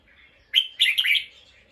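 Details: Alert bulbul reacting to a sound heard nearby: a short sharp note, then a fast harsh scolding chatter lasting under a second.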